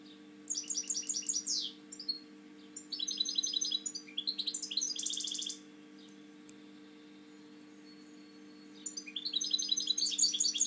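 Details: Indoor song of a caged European goldfinch, a breeder with a slightly lowered wing: three lively bursts of high, jingling trills and buzzy notes, then about three seconds of quiet before another tinkling phrase begins, with a constant low hum.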